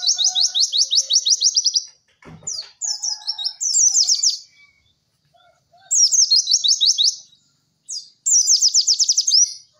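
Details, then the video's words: White-eye (pleci) singing in the cek cek werr style used as a masteran training recording: rapid high trills of slurred notes in bursts of about two seconds, broken by short pauses and a brief low thump. "MASTERAN PLECI TERBARU PALING AMPUH CEK CEK WERR....."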